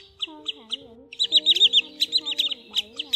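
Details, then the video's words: Wood sandpiper call as a lure for netting migrating birds at night, newest version from October 2020: sharp high chips in quick bursts, over lower gliding tonal whistles. "Tiếng Choắt Bụng Trắng"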